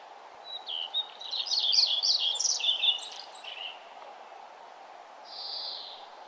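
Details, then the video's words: Morning birdsong on a nature trail as the sun rises: a quick, jumbled warbling phrase of high twittering notes lasting about three seconds, then a short buzzy note, over a constant low hum. "birds singing and the sun arising"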